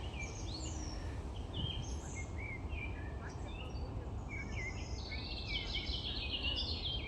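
A nightingale sings varied high whistles, quick sweeps and a rapid buzzy trill near the end, over a steady low rumble of wind or distant noise.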